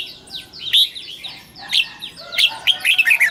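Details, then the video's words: Red-whiskered bulbul in a cage delivering its morning double-note 'già rừng' song. Quick, overlapping whistles and sharp chirps tumble together, and several thin descending notes run in the background throughout. "Luyện giọng cho chào mào hót sáng, ép chào mào hót âm kép già rừng hay tuyệt!"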